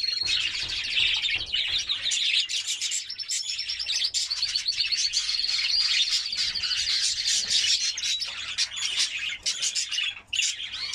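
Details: A white Belgian canary sings to stimulate females for mating: a continuous high, rapid warbling song full of trills and rolling phrases, with a few extra chirps mixed in.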